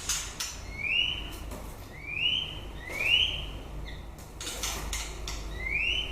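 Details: End-of-breeding-season song of a white-rumped shama: rising whistled sweeps repeated roughly every second, with faint high upslurs between them and a soft low background rumble.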